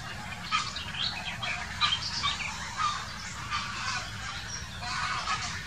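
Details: Quarrelling grey herons, filmed in 2018, give loud, grating squawks in quick irregular runs, some bursts doubled, with high chirping of other birds mixed in behind.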